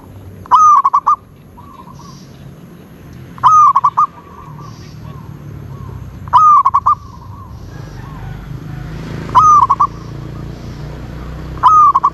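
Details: Zebra dove giving a steady series of five cooing phrases roughly every three seconds, each starting with a bright rising note and ending in a fast, stuttered trill of short coos; soft background hiss.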